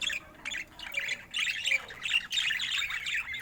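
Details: ['Budgerigar said to look happy, with jumbled chirps and rasping warbles in quick overlapping bursts.']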